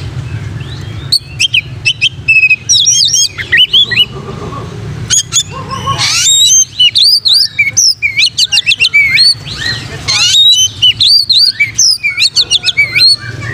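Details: Oriental magpie-robin song used to train other magpie-robins: a loud, varied run of high whistled notes, sharp chips and rapid slurred phrases with brief pauses, over a low steady hum.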